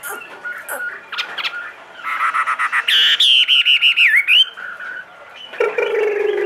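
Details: Caged Chinese hwamei, two and a half years old and big-bodied, said to sing anywhere: after soft notes, a fast run of clipped, pulsed notes turns into a loud warbling phrase, then a lower harsh sound.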